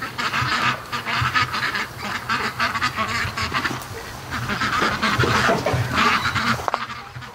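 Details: A large flock of domestic ducks hurrying home from the lake, probably hungry after swimming; many overlapping raspy quacks in quick irregular bursts, roughly four per second, over splashing and movement noise.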